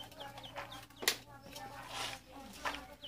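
Ducklings give high, thin peeps that slide downward, several in quick succession, over scattered clattering and rustling bursts.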